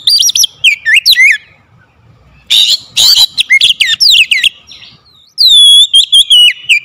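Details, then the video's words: Oriental magpie-robin singing to call a quiet bird into song, mixing rising whistles, harsh buzzy notes and rapid slurred phrases, then a clear descending whistle with rolling notes. "KACER PEMIKAT KACER MALAS BUNYI LANGSUNG TERPANGGIL IKUT GACOR"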